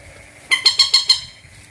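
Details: Bantiung, also called mandar or peruk: a burst of five harsh, nasal, rich notes delivered quickly in just over half a second, then quiet with faint background hiss.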